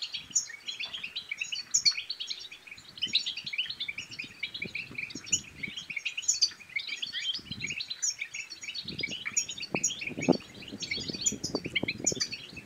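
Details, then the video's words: European goldfinch bibtaba song, a twittering performance meant to encourage other goldfinches, especially males, to sing and to spur mating. Continuous fast, high, liquid twitters and buzzy trills, joined near the end by a run of low knocking sounds. "بتبتات الحسون بتبتة تنطق اي حسون كان صامت سيغرد"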